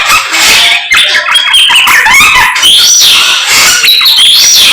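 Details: Samyong bird singing energetically in the morning, mixing high sharp whistles with harsh squawky notes in a continuous flow.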